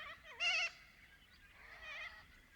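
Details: Little corella in Paroo-Darling National Park, Australia, giving a short loud wavering screech followed by a softer, rougher call from another bird.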